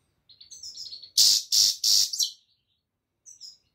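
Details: European goldfinch song: high, tinkling twitters around 4–8k, then three loud buzzy bursts in quick succession, followed by a brief twittering phrase near the end.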